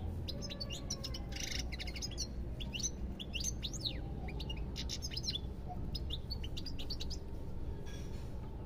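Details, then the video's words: Sustained goldfinch song: a long, rapid, tinkling twitter of varied high chirps and buzzy notes running almost without pause, over a steady low background rumble. "ربع ساعة من تغريد طائر الحسون"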